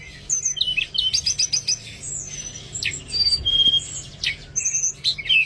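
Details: Oriental magpie-robin singing, played to encourage birds that are reluctant to sing: a quick series of clipped chirps followed by clear whistled notes and scratchy, varied phrases in a lively, continuous stream.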